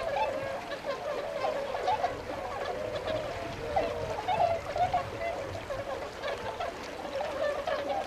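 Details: Wintering tundra swans at a retention pond in Azumino, Nagano, Japan, February 22, 2013, setting out for the rice fields to feed; overlapping mellow honks in a steady band, with occasional louder whooping notes.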